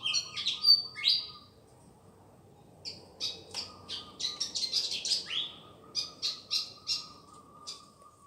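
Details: Pied fantail on Madura, Indonesia: a series of thin, high chirped notes, some clustered in quick bursts and others spaced roughly every half second, over a steady faint mid-pitched hum.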